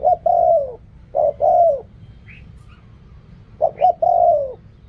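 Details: Spotted dove cooing in khu kham and ok rong style: three low phrases, each a quick double note and then a drawn-out falling coo. A pause in the middle carries faint high chirps.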